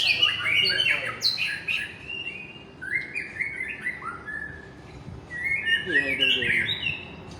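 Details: Aceh white-rumped shama, a fighter bird in full form, pours out fast, bright phrases of high whistles and chattering trills, dense at the start, then a slower descending series, then another burst of rapid notes.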